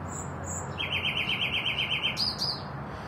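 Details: Common nightingale singing: two high whistled notes, then a rapid, even run of about a dozen rolling notes, closing with a sharper, higher phrase, over a faint low hum.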